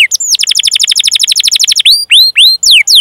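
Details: Canary singing a long 'cuit cuit' rolling song used as a lure to train other canaries: a fast trill of about twenty-five descending notes for nearly two seconds, then slower, separate rising whistles.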